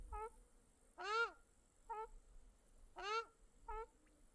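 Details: Birds calling by a small lake in Mongolia: short nasal notes alternate steadily with long, loud, downward-curving mewing calls, roughly one every second.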